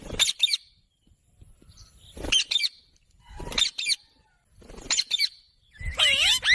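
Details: Green parrot giving five harsh, broadband squawks about every 1.5 seconds, each a noisy burst with quiet gaps between, the last longer with wavering tonal strands.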